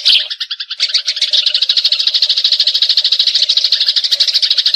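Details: Fighting Eurasian tree sparrow used as a tutor song for champion magpie-robins: a dense, unbroken stream of harsh, high chirps, several each second, rising into long excited rolling bursts.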